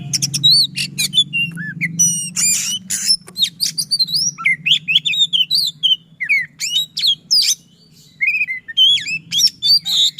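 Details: Oriental magpie-robin singing a fast, dense, persistent song with rolling shot-like notes, a style used as a lure for magpie-robins that have stopped singing. Rapid varied whistles, sharp downslurs and buzzy bursts run almost continuously over a low background hum.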